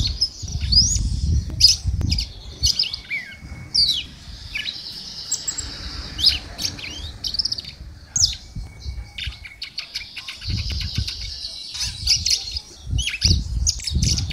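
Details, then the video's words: Red-cowled cardinal, a female singing the same as a male: sharp high chirps and brief whistled phrases scattered irregularly over fourteen seconds, with a faint steady whistle and low rumbling noise beneath. "galo de canpina fêmea canta igual macho"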